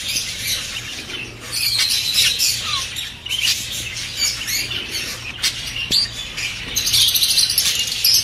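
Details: Many budgerigars warble and chirp together in a steady, high, twittering chatter with occasional sharper squeaks, over a faint low hum; the chatter is meant to stimulate budgerigars to mate.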